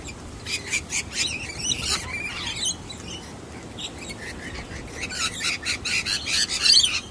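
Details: A young wild Sulphur-crested Cockatoo gives harsh, rasping squawks in quick bursts, first in a short run and then again more loudly near the end, with quieter gaps between. It shows no interest in a nut-hiding trick.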